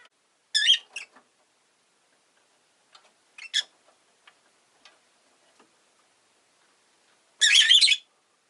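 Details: A Rosy-faced lovebird gives harsh, buzzy chirps: a rapid double call, a single rasping note a few seconds later, then a loud, long, grating squawk near the end, with soft ticks between.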